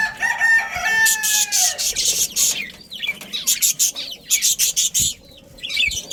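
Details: Budgerigar breeding colony: a drawn-out harmonic call slides downward at the start, followed by dense bursts of sharp, scratchy chirps in rhythmic clusters, then a brief lull and more chattering.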